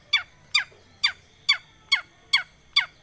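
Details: Long-tailed shrike lure, meant to prompt a silent cendet to sing: seven harsh, rasping notes, each sliding down in pitch, repeated about every half second in a steady rhythm.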